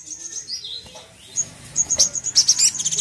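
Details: Crimson sunbird song meant to provoke another sunbird to anger: thin, very high chirps and twitters, sparse at first, then a dense burst of sharp notes in the last second, over faint low background rumble.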